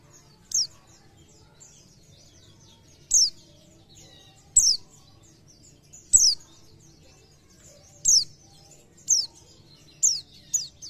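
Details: An Oriental white-eye, sung to make other white-eyes sing more, gives thin, very high, sharply falling notes in short bursts, about eight in eleven seconds at uneven gaps, over a faint low hum. Oriental white-eye.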